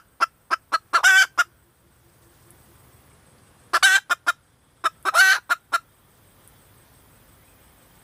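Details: Short bursts of fast clucks from a female red junglefowl, each run peaking in a harsh squawk, with quiet gaps of two seconds between bursts.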